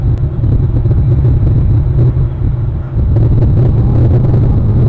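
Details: Loud, heavy low rumble of wind buffeting or a passing vehicle, with no animal voice.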